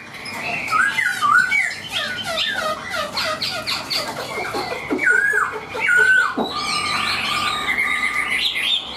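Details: Tame caged Chinese hwamei in full song, mixing rapid rattling chatter and scratchy notes with clear slurred whistles and a sharp downward-swept note near the end, delivered as a continuous varied outpouring.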